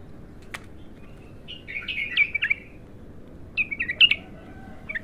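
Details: Bulbul, locally called Abtar, untrained bird in its first song session: two short bursts of warbled, slurred whistled phrases, the second following after about a second of quiet, with a sharp click near the start.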